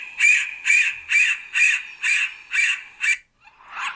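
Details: Yellow-bellied sapsucker calling a steady series of seven nasal, squealing notes, roughly two per second, evenly spaced and similar in pitch, followed by a brief pause and a softer rougher note at the end.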